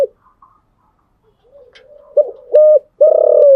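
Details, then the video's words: Morning coo of a caged spotted dove: faint soft coos, then a loud burst of two short coos and a long, slightly falling drawn note. "Tiếng chim gáy buổi sáng"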